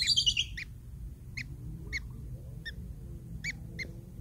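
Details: Long-tailed shrike chicks waiting to be fed by their parent. A loud burst of harsh, rasping squawks opens, followed by short, clipped chirps at irregular intervals of about half a second to one second, over a low steady hum.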